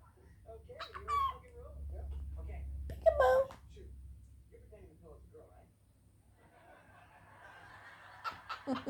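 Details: A male pet cockatiel mimics laughter, as he often does when people around him laugh, with short, choppy, raspy chuckles and a bright whistled note.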